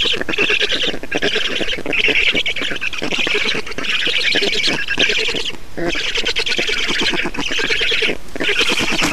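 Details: Black storks at a nest in Estonia during a feeding on 6 June 2019, mid-morning. Harsh, noisy, rasping calls come in rapid bursts about every second, running continuously with brief pauses.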